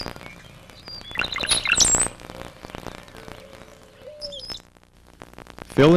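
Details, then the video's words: Brown-headed cowbird vocalization: liquid gurgling notes running into thin, very high whistles, then a lone high whistle, before a voice begins speaking. "Let's listen to the vocalization of the Brown-headed Cowbird. [ Brown-headed Cowbird ] >>"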